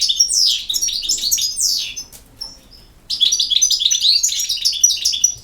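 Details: Bright European goldfinch song, quick tinkling notes and downward slurs, a brief pause around the middle, then a fresh outpouring of rapid high twitters to the end.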